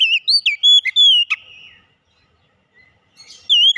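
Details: Oriental magpie-robin (kacer) delivering a short burst of clear whistled and slurred notes with a sharp click, then near silence before a rising whistle returns.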